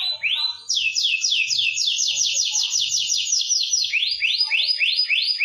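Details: Canary singing for use as a master song to stimulate lazy birds: a fast run of rising swept whistles repeated several times a second, then slower separate upward sweeps, continuous and loud.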